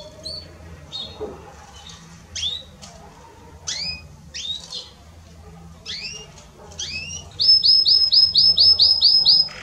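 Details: Belgian canary singing to warm up other canaries: scattered sharp rising and falling chirps spaced about a second apart, then a fast, even, loud high trill of about a dozen repeated notes at the end, over a low background hum.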